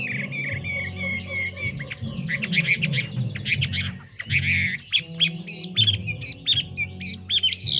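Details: Chinese hwamei song mixing scratchy chatter and clipped whistles, then a series of short bright notes, set against a constant low hum and some background noise.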